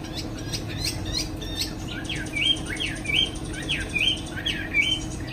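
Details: Caged Chinese hwamei in the afternoon, shown flapping its wings, giving softer whistled song phrases. Slurred notes rise and dip, repeated roughly every half second over a noticeable background hiss.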